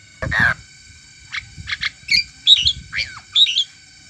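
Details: Singing myna giving a harsh squawk followed by a series of short squeaky, warbling whistles and chirps about once every half second, over a steady faint electronic hum.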